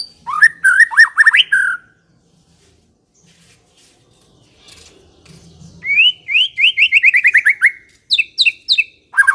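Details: White-rumped shama song used for luring: a loud cluster of jumpy whistled notes, a quiet gap, then a long accelerating series of rising whistles and a final set of sharp, high, rapid notes.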